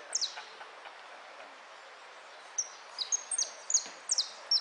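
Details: Goldfinch song from a contest, style called amarillo de repique; a couple of sharp descending notes at the start, a pause, then a dense run of high twittering slides in the final two seconds.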